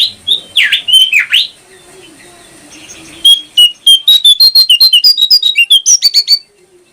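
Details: Brown prinia song used as training material for keeping birds: three loud sweeping dipping notes, a short pause, then a fast run of about twenty sharp clipped chips that step gradually higher in pitch. A faint low hum sits underneath.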